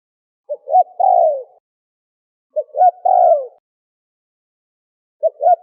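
A turtle dove coos a low phrase of two short notes and a longer, falling coo, repeated about every two and a half seconds against quiet.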